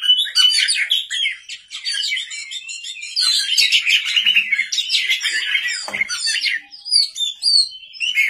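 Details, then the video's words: Lure song of a white-rumped shama at night: a long, rich, unbroken torrent of rapid whistles, trills and chattering notes, with a brief sharp click midway. "pancingan kacer gacor malam hari"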